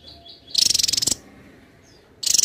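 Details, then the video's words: Javan tesia delivers a loud, very high rattling trill of quick even pulses lasting about half a second, then a pause and the start of another trill, with faint high notes between. "Tesia jawa gacor rapat"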